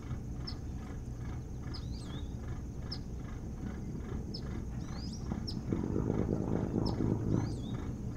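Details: Osprey calling at the nest on Hog Island near Bremen, Maine, from a boathouse nest camera on 3 August 2018: brief high piercing chirps and slurred swoops in an irregular series, with a louder low rumbling noise near the end.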